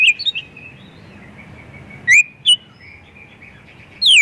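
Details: Full-repertoire White-rumped shama song used to provoke other shamas to sing; short clear whistles and sharp descending sweeps in bursts, with a long flat whistled tone between them and quiet hiss behind.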